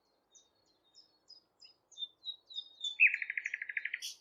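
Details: A common nightingale sings at Thurrock Thameside Nature Park: soft, high, spaced piping notes swell into a loud, rapid rattling trill of about fourteen notes, ending in a sharp high flourish.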